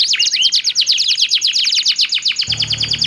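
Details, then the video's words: A pair of actively singing canaries trade song: quick downslurred chirps repeated in a rapid rhythm, one soft rising whistle near the start, and a low hum entering for the last half second. "SUARA KICAUAN KENARI GACOR SALING BERSAUTAN"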